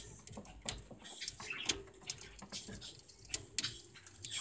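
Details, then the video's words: Budgerigar chewing a small-animal sugarcane treat indoors, February 2018. There is a steady patter of crisp, ticking bites and scraping crunches, irregularly spaced, with a few sharper snaps standing out. "セキセイインコ (•ө•)♪ 『（小動物用）さとうきびを齧る③』"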